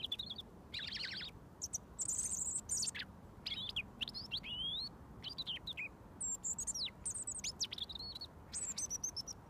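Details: A robin, fed daily for over a year, sings about a foot away until mealworms arrive; varied high, sharply sweeping whistles and short warbles in quick bursts with brief pauses.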